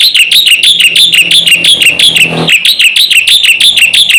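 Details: Black-winged myna song to provoke other mynas into calling: a steady, rhythmic string of loud, clear whistled chirps, each slightly downslurred, repeated about three times a second throughout.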